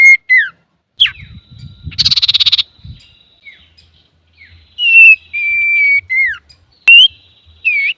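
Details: Male common iora singing, used as a lure: a few downslurred whistles, a short pulsing buzzy rattle, then long level whistled notes and rising slurs with pauses.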